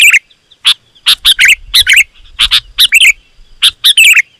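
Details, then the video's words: Sooty-headed bulbul lure song: bright chirps and bubbly, warbling phrases in quick clusters, a soft low rumble underneath. "Suara Burung KUTILANG GACOR, Rapat dan Lantang Burung Kutilang Liar Auto Emosi dan Mendekat"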